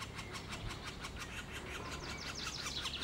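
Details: Middle spotted woodpecker chicks beg at a feeding with a rapid, steady stream of harsh, high chattering notes that grow shriller toward the end, over a low background rumble.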